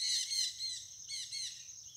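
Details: White mutation chestnut-bellied seed finch singing a rich, continuous warbling phrase of bright whistled and slightly buzzy notes, rising and falling in short bursts about every half second, with no other clear sounds.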